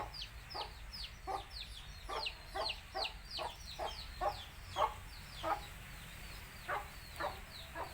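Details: Tamil country chickens: a mother hen calling her chicks to eat, short low clucks spaced irregularly, about one per second, over a dense layer of high, falling chick peeps.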